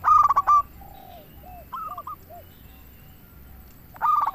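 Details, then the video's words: Zebra dove song used to draw in other doves: a loud rapid cooing burst opens and closes the passage, with faint scattered downslurred coos and a short broken phrase between them. "Perkutut Lokal Gacor RAJA PIKAT Ahlinya Bikin Semua Burung Perkutut Langsung Nyaut"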